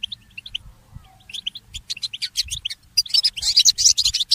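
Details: Goldfinch mule in early morning: sparse soft chirps open the phrase, building into quick repeated twitters and ending in an intense, fast high trill.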